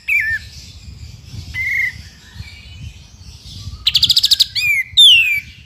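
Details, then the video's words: Sooty-headed bulbul in lively ngepik beset song, recorded for training magpie-robins: a falling whistle, a soft steady note, a quick rattling trill, then two loud downward-sweeping whistles. "KAPAS TEMBAK GACOR FULL NGEPIK BESET"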